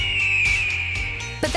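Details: Red-tailed hawk gives a single long, hoarse, high scream that slowly slurs downward, over a low musical bed, with a voice starting at the end; this call is often dubbed over bald eagles on screen.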